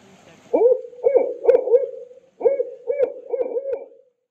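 A barred owl gives two rhythmic phrases of deep, slurred hoots, about four notes each, with a brief pause between them.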